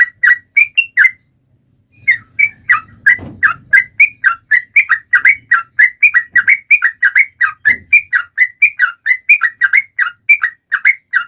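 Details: Sooty-headed bulbul in lively song used to prompt mute birds into singing: a short burst of bubbly notes, a one-second pause, then a long rapid run of up-down phrases, with a few soft low thumps.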